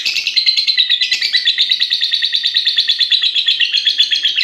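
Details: A 6.5-month-old pied lovebird of fighter type, singing at length: an unbroken, rapid chattering trill of scratchy, high chirps pulsing several times a second without pause.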